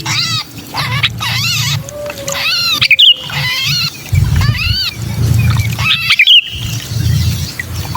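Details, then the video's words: Lure recording of a sooty-headed bulbul in distress, used to draw wary bulbuls down: raspy, down-curving squawks in short bursts separated by pauses, with sharp clicks and a constant low droning hum. "Suara pikat burung kutilang kejepit"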